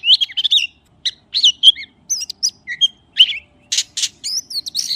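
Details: Magpie song in spaced phrases: clear whistled slurs and chirps separated by short gaps, with a few harsh, noisy rasping notes near the end among the higher whistles.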